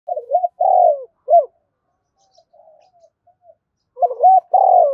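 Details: Spotted dove used as a lure bird to call in other doves, giving deep hollow cooing phrases, a short double coo then a longer falling coo, pausing, then repeating the pattern.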